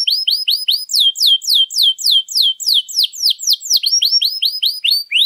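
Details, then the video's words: Long, varied canary song meant as a master for training other birds, made of steady rows of high, sweeping, down-slurred notes, shifting between several trill types without pause, clear and free of noise. "Kenari Gacor Panjang Lagu Mewah, ampuh buat pancingan atau masteran"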